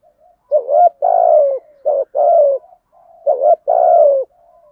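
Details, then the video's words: Domestic-strain spotted dove cooing as a lure to make other doves coo: low, hoarse three-part coos, a short note followed by a longer falling one, repeated twice in a quiet setting. "tiếng chim cu gáy kích bổi nhanh gáy nhất"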